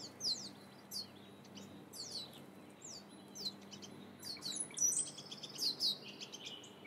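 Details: Two wild turkey chicks, survivors of a spring brood of twelve, peep near their mother in the California Sierra foothills while eating seeds fallen from a feeder, giving thin, high, downslurred whistles in quick overlapping bursts; the chicks are wary of chainsaw noise.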